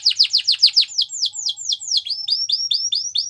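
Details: Female Belgian canary's morning song: a quick series of bright descending sweeps, slowing into longer down-slurred notes, then a run of rising whistled upslurs at a steady pace.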